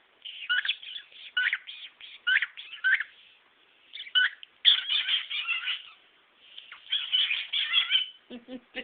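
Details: Male cockatiel kept as a pet, showing off his repertoire indoors: busy chattering warble of clipped chirps and trills in several bursts, ending with a short series of low pulsed clicks.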